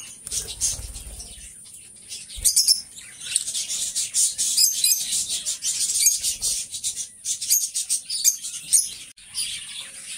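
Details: Pair of companion lovebirds giving a steady stream of shrill, high chirps and squeaky twitters that swell and fade in quick bursts, with occasional soft low bumps of movement underneath.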